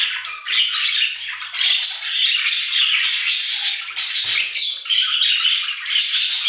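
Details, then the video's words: Continuous budgerigar chatter from an aviary: rasping squawky notes mixed with quick twitters and squeaks, steady and loud throughout. "Budgie Songs - 1 hour of Budgies singing in the Aviary"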